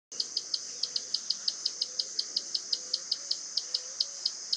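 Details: Common tody-flycatcher recorded at 9:00 on 4 March 2018 in Itatiba, São Paulo, Brazil, with a Panasonic HDC-HS80 camcorder: a long steady series of short, high ticking notes, about four per second, over a constant high insect drone and faint low whistles.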